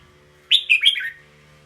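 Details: A red-whiskered bulbul sings a brief phrase of four slurred, fluty notes starting high and dropping, over a faint steady low hum.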